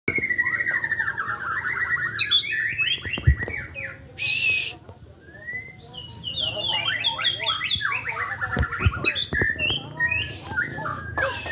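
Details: White-rumped shama in gacoran style, a vigorous nonstop song: rich, rapidly varied whistles, trills and sharp chattering phrases sliding up and down, one burst of harsh noise, with faint background hum.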